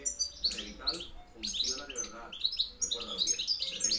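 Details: Wild-type European goldfinch from Spain delivering fast, continuous high twitters and tinkling chirps in quick runs, with a steady low background hum.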